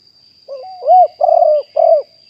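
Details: Spotted dove, said to be wild, recorded live in 2021 as a decoy bird. A single phrase: a soft upslurred lead-in, then three husky, arching coos in quick succession over a faint constant high hum.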